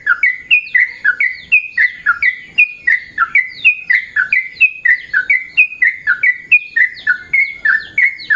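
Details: Yellow-vented bulbul calling in the morning; loud, bubbly two-part notes, each a short rising chirp dropping into a lower slurred whistle, repeated about three times a second in a steady chattering run, no other sounds.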